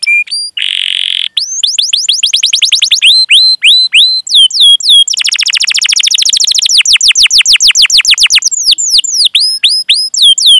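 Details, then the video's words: Canary in full continuous song with long chirping rolls, used as a training recording to prompt young, unschooled or silent canaries to sing; rapid repeated high downward-sweeping whistles, fast trills and buzzy stretches, nearly nonstop. "Masteran Suara Burung Kenari Gacor Panjang cuit cuit Ngerol untuk Pancingan Kenari!"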